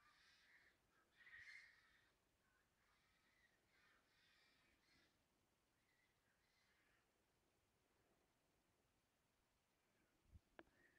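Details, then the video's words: On 5 May, white-winged choughs in a clearing give harsh, rasping, crow-like alarm calls for about seven seconds, warning of a brown snake about 1.5 m long at a water dish, then go quiet; a sharp knock sounds near the end. "Native Birds, Brown Snake Alarm"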